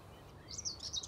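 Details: Common Whitethroat singing from shrubs in the background along the Brielse Gatdam, Netherlands, in summer heat, perched and staying put after earlier being shy; a brief, faint, scratchy high warbled phrase over a low steady background rumble.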